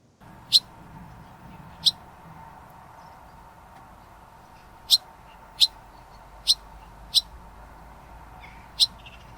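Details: A young barn swallow perched on a gate railing at Elmley, Isle of Sheppey, Kent, UK, on 28 August 2025, gives seven short, sharp, high chirps spaced unevenly one to three seconds apart, over a steady low engine hum.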